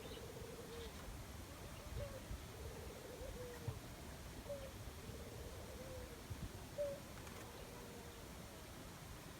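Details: Dove calling in the jungle: soft, low cooing phrases, each a quick rolling trill that ends in a short drawn-out note, repeated several times under a steady background hiss and low rumble.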